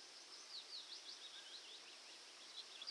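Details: Yellowhammer (Emberiza citrinella) song: a quick run of high, thin, repeated chirps at a steady pace with an ascending rhythm ending in one long note, likened to "a little bit of bread and no cheese", faint over soft hiss.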